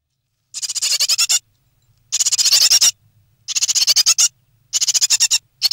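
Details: Three great tit nestlings in the nest, close to fledging, in May 2017: bursts of rapid, high, hissing begging calls, each lasting about a second, repeated after short silences.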